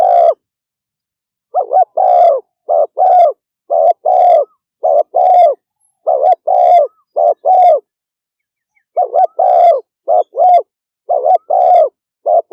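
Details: Spotted dove delivering speedy 'thúc gù' cooing: a long rapid series of hollow paired coos, each a short note then a longer one, broken by a single pause of about a second before resuming.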